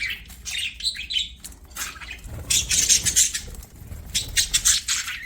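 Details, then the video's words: Budgerigar song while playing: rapid, grating high chatter in pulsing runs, with louder dense bursts in the second half. "BUDGIES SINGING PLAYING"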